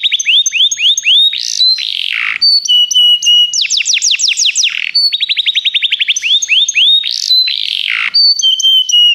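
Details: Begie canaries singing for song training: rapid series of upslurred whistles, then a fast trill of sweeping notes, a buzzy dip, and more ringing rolled tours with high thin whistles, continuous and loud.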